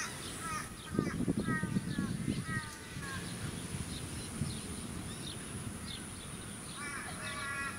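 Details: Australian wood duck at a small artificial lake on Queensland's Sunshine Coast in February 2018: nasal, harmonic, drawn-out calls in a cluster early on and again near the end, with a low rumble of wind and suburban noise beneath.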